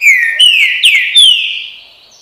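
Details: Green-winged saltator singing the song style called "bom dia seu chico": four loud, slurred whistled notes in quick succession, each sweeping down, the last drawn out and fading over about a second.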